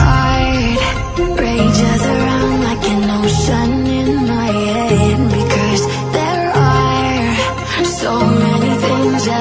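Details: Loud recorded music with a steady beat and layered instruments fills the whole recording, with no animal voice heard.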